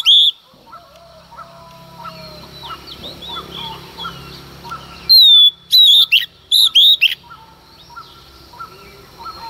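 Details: Female Oriental magpie-robin at dawn, singing to provoke males: a single whistle, a stretch of faint background bird calls and low hum, then a short cluster of loud, clear whistled phrases.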